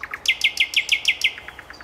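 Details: Common nightingale delivering a rapid trill of about seven identical clipped notes in just over a second, then fading softer notes, with faint background hiss.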